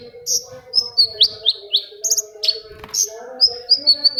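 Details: Long-tailed shrike song meant to coax quiet shrikes into singing: a varied run of high slurred whistles and sharp chips at an uneven pace, over a faint steady hum.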